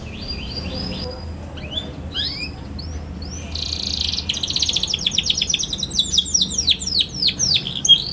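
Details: Young canary used to train other young canaries in song begins with soft scattered rising chirps, builds into a dense buzzy trill, then ends with a fast cascade of sharp descending whistled sweeps.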